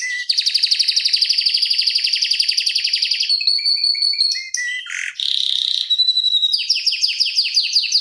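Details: Canary rolling song at tight, rapid tempo, recorded as masteran and pancingan for other canaries: a long buzzy trill, then scattered whistled notes, a low sweep, and renewed fast rolls.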